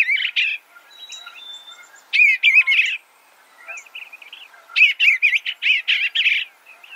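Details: Three phrases of soft, rolling Eastern bluebird warbling, each made of quick wavering notes, the last phrase longest, with a faint thin whistle early on.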